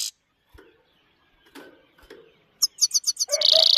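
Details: Himalayan goldfinch high song: after soft low rustles and faint sounds, a quick series of sharp high chirps runs straight into a dense buzzy twitter at the end.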